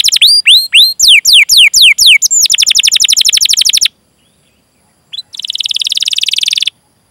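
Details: Persistent canary singing with chirping calls and rolled phrases, used to coax other canaries into song: loud falling whistled notes give way to a fast even trill, a pause, then a brief chirp and another rapid roll.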